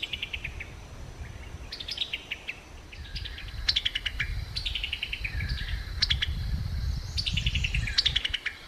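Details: A Summer tanager (Piranga rubra) gives its chuckling call, quick staccato chattering in short bursts of clipped notes, over a low rumble of wind or distant noise.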